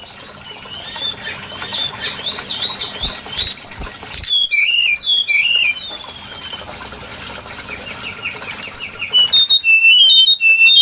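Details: Brown-chested jungle flycatcher lure recording used for bird trapping: dense, high whistled phrases with quick rising and falling slurs and short chirps, overlapping and rapidly repeated, strongest after four seconds.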